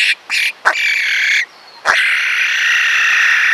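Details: A male lyrebird putting on a display of his repertoire gives harsh, nasal, buzzy notes: two quick bursts and a sharp click, then one long grating "laser" note, one of his natural calls, held steadily to the end.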